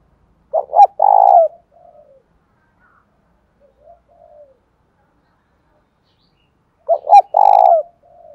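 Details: Spotted dove giving a fight-provoking lure call, 'thổ đồng' voice: a burst of clipped coos and a long throbbing coo, soft trailing notes, a long pause, then the same loud phrase repeated.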